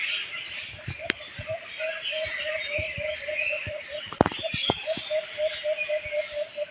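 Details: A dense chorus of chirping birds, high overlapping tweets and trills over a low rapidly repeated pulsing call, broken by several sharp clicks and knocks, one loud crack near the middle.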